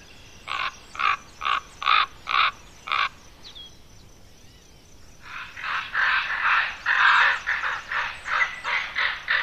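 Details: Several young common ravens, Côtes d'Armor, France: a regular run of six rough croaks about half a second apart, a short lull, then an overlapping chorus of harsh calls from more than one bird.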